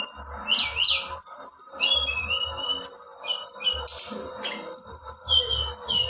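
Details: A female Black-winged flycatcher-shrike sings to stir up males. Sharp high whistles and fast up-and-down slurs come in bursts, with brief pauses between phrases and a soft low rumble in the background.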